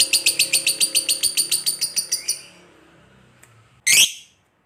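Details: Lovebird chattering in ngekek style, played as a lure to other lovebirds: a fast, high, rattling series that fades after two seconds, followed by one loud harsh squawk.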